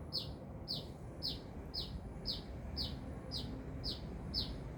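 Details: Active sunbird near Binjai giving high, thin, descending chirps in a steady run, roughly two per second, over faint low-pitched ambient noise.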